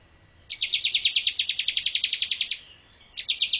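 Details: Bar-winged prinia song for training birds, a two-second run of rapid sharp chirps rising slightly in loudness, then a brief pause and a shorter burst.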